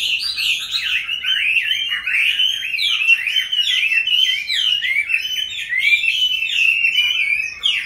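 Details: Chinese hwamei in captivity, a wild-caught bird now in its fifth year, singing an unbroken chain of quick zigzagging whistles, varied and loud throughout.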